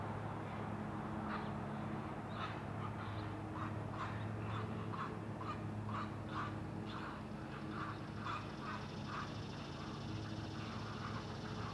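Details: Great Blue Heron at a nest in a rookery high in loblolly pines on Maryland's Eastern Shore, Chesapeake Bay, July 20 near 5 a.m.: harsh, clacking notes about twice a second for most of the stretch, over a steady low hum.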